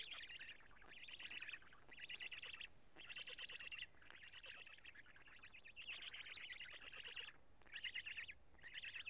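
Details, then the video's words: Black stork nest change and feeding at Karula, 2 June 2017 around 20:04; a long run of harsh, scratchy bursts repeated steadily with brief breaks, plus faint background noise. "Black Stork~Change and Feeding"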